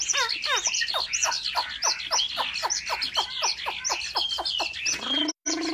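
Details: Chinese hwamei in competitive song at home: a vigorous, rapid run of loud repeated downslurred notes and looping whistles that keeps going without pause, ending with a brief gap and a harsh burst.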